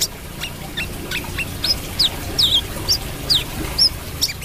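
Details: Brown-throated sunbird singing a lively series of sharp, high, twisting notes, some rising and some falling, delivered at roughly one-second intervals with faint background hum.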